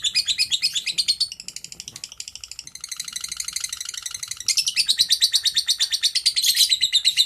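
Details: Lovebird 'ngekek panjang' used for training other lovebirds: a continuous shrill chatter of rapid repeated notes, thinner and quieter in the middle, then loud and full again toward the end.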